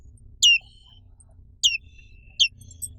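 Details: Three single high, downward-sweeping chirps from a black-capped white-eye, a bird found only in Indonesia, spaced about a second apart, each trailing into a thin tone, over a soft low hum.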